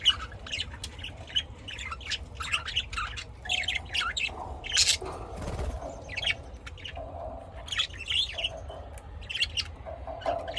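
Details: Lovebirds raised at home in Austin, Texas, chattering steadily with rapid high chirps and short squawks throughout. A brief rustling, flapping-like noise comes near the middle, over a constant low background drone.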